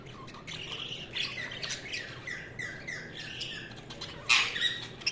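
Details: Budgies chattering in a steady stream of quick descending chirps and warbles, several overlapping notes per second, broken by one loud scratchy squawk near the end, over a soft background hum.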